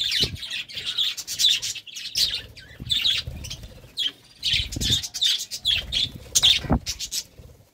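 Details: Pet budgerigars during courtship, 'love time': bursts of scratchy, buzzy chirps and warbles repeated in quick clusters, with soft low thumps and rustling between phrases.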